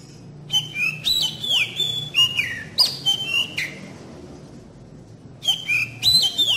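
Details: Lure song of the Oriental magpie-robin (kacer), meant to make young birds start singing and sing often: varied whistled phrases with falling slides and clicks, a pause, then a renewed burst.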